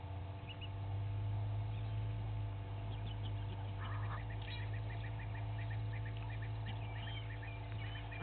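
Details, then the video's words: Egyptian geese, two families fighting at Gowrie dam waterhole, Djuma Game Reserve, Sabi Sand, South Africa, 06:01 on 18 April 2019, live waterhole camera: a harsh honking burst midway, then rapid small chirps from other birds over a steady low hum. "Two Egyptian Goose families fighting"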